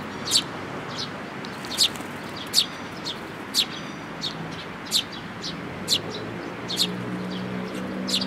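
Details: Sparrows, an adult with a chick, recorded on 18 May 2018: short sharp chirps at an uneven pace of roughly one or two per second, with a faint low hum behind.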